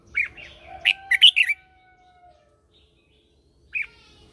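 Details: Red-whiskered bulbul singing a morning training phrase as a lure to call other birds: a quick cluster of loud, bright chirps and warbles, then silence and a single closing chirp, over a faint low whistle.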